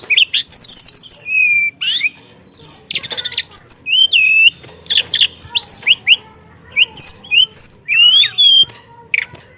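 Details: Caged songbird in full varied song, rapid buzzy trills mixed with sharp whistled downslurs and upswept notes, phrases tumbling one after another with short gaps, quiet background.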